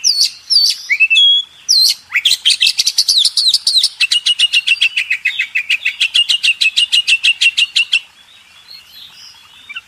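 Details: Training song of a kacer, the Oriental magpie-robin, for contest birds: varied whistles open into a long, steady, rapid series of harsh repeated notes lasting about six seconds, then quiet.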